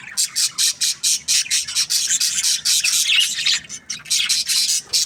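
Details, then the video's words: Budgerigars in an aviary giving loud, rasping squawk-chirps repeated about twice a second in a steady, slightly uneven series, with softer chatter between them. "Amazing Budgies Aviary | budgies chirping sounds"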